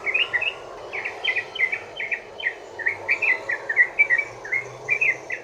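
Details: Bubbly 'ropel' song of a yellow-vented bulbul, played to coax other bulbuls into singing: lively slurred chirps in small clusters of two to four, with short gaps between groups.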